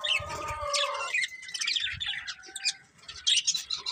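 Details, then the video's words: Budgerigars forming a breeding pair produce busy warbling chatter, harmonic chirps then rapid scratchy high notes, with faint low thuds. "Colourful Budgies Chirping Sounds"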